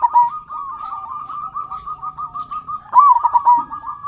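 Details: Local zebra dove song used to spur quiet captive doves: a continuous chorus of trilled coos from several birds, broken by a louder rapid cooing burst.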